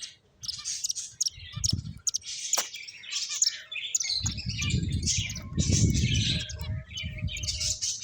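Finches chirp busily: many high, quick overlapping tweets and twitters, with low rumbling noise underneath.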